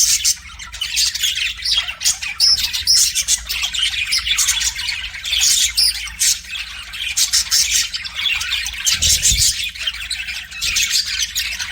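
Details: Budgie singing to its mirror in a steady stream of harsh chattering squawks and rapid chirps, nonstop warbling with one dull knock partway through.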